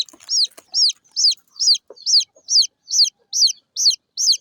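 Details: Small chicks of local chicken give a regular series of shrill, falling peeps, a little more than two per second, with a few soft clicks at the start.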